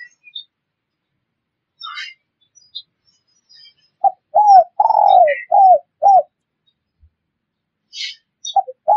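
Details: Spotted dove call used as a lure for wild birds: after scattered faint high chirps, one phrase of clipped coos and a long falling note. A few soft chirps close the clip.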